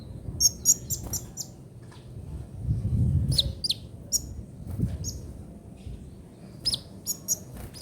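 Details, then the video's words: Ninja sunbird singing in the trotol style for songbird tutoring: short high chirps and thin downslurred notes in scattered bursts, with a low rumbling background. "KICAUAN KOLIBRI NINJA TROTOL"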